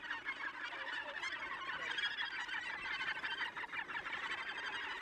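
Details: Many Australasian gannets at Tongariro calling at once, a steady wall of coarse, chattering croaks with no pause, individual harsh notes blurring into continuous colony noise.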